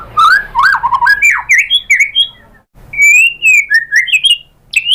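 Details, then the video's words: White-rumped shama lure song meant to make a bird answer and sing hard: loud, fast, varied phrase of twisting whistles and warbles, a short silence, then another run of bright slurred whistles rising and falling. "PANCINGAN AMPUH ‼️ MURAI BATU JADI NYAUT GACOR BONGKAR MATERI ISIAN ¦ PANCINGAN MURAI ¦ SHAMA BIRD"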